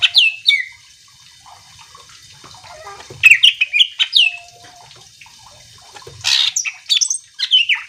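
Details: Greater green leafbird singing to provoke other birds: opening whistled notes, a quiet stretch, then bursts of sharp chips, slurred whistles and a rough noisy note, with soft hum in the background.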